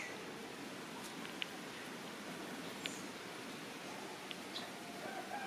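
A Rose-breasted Grosbeak gives a few short, sharp squeaky 'eek' notes, spaced irregularly about a second or more apart, over a steady hiss of background noise.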